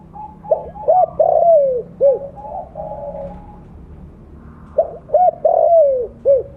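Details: Loud mottled blorok spotted dove, a lure call. It gives a phrase of two short cooing notes, a long drawn-out falling coo and a clipped end note, softer coos between, then the same phrase repeated.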